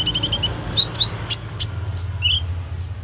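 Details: A sunbird (kolibri ninja), recorded as a lure for other birds, opens with a quick high stutter, then gives separate thin whistles, some falling and one lower slurred note, over a faint low drone.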